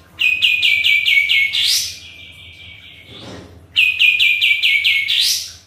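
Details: Sooty-headed bulbul in active song, used as a lure to make birds respond: two loud phrases, each a fast run of six bright, slightly falling notes ending in a steep upward sweep, separated by a quieter held tone.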